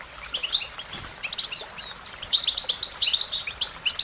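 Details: Rapid, tinkling chirps and short twittered trills from an American goldfinch, pausing briefly near the start before a steady flow of notes.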